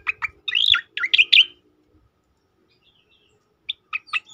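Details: Tembakan song of a striated grassbird, used for training and provoking other birds: rapid strident chirps and a loud warbling burst, a silent pause, then three more sharp descending notes.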